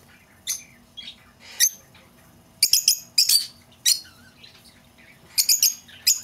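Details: Lovebird calls for luring back an escaped bird: scattered shrill, high chirps in short bursts, some doubled or tripled, with quiet gaps between them.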